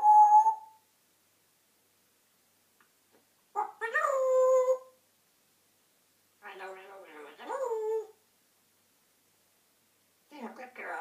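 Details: Grey parrot (Psittacus erithacus), talking and whistling.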